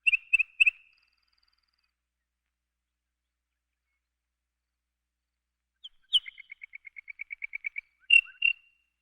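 A lark sings high, bright chirps in short clusters, then a rapid, even trill of about a dozen notes, closing with more sharp chirps.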